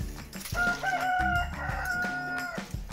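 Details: A rooster gives one long, steady crow of about two seconds with a brief lift early on, over clinking jars and faint music; finding: chicken (Gallus gallus domesticus) crowing.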